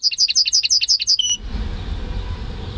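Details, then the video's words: Goldfinch × canary hybrid of its owner's own breeding, May 2015: about eight quick, ringing double notes in a rhythmic series, ending in a brief pure whistled tone, then quiet low hum. "Saka Melezi Ötüşü"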